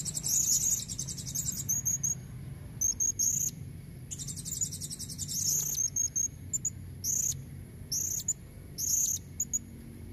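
Thin, very high-pitched shrill notes from a female Blue-crowned hanging parrot, given in quick buzzy bursts and short repeated tsit phrases, with a soft low rumble underneath.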